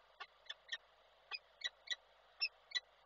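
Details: Peregrine falcon at the nest in Koszalin, Poland, 17 February 2023: short, harsh, clipped notes repeated irregularly about three times a second, a brief chattering series in a quiet setting.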